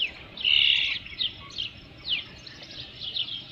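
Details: Osprey at the nest with a fish, 3 June 2018 around 5 PM, giving one loud, high, drawn-out whistle followed by several fainter, sliding chirps.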